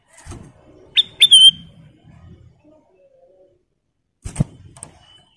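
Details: Kutilang emas bulbul gives one short whistled phrase of rising notes ending in a clear held whistle, between dull knocks and soft low rustling; a master recording for training cage birds.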